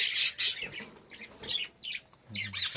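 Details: Captive-bred budgerigar chicks in a nest box, checked during an inspection, give harsh, raspy squawks in five uneven bursts over about three seconds, with a faint low murmur near the end.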